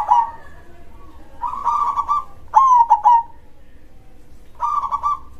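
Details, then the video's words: Local zebra dove (perkutut) singing in the big-voiced krosing style: a purring trill, then a louder stuttering coo phrase and another trill, all low and mellow with pauses between. "suara perkutut gacor dor krosing suara besar"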